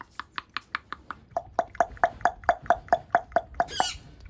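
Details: Talking parrot producing a rapid run of sharp tongue-click pops, about two per second and steady, followed by a brief harsh squawk at the end.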